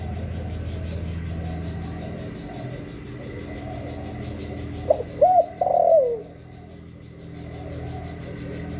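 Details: Spotted dove in the 'hạp bổi' voice, recorded live to stimulate newly caught doves. Soft distant cooing comes first, then one loud phrase: short hoot, arched coo, and a long quavering falling note. Quiet background cooing follows.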